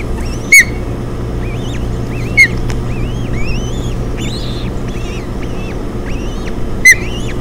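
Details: Nest of ospreys on Hog Island, 7 June 2017, three chicks fed on a delivered fish: a series of arched, rising-falling whistled peeps, broken by three loud sharp chirps, with a constant low hum.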